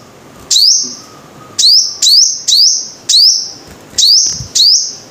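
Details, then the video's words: Five-coloured sunbird uttering shrill, high chip notes that sweep upward and end in a brief buzz, given singly or in quick pairs at uneven gaps, with a faint steady low hum behind. "Tiếng chim hút mật 5 màu"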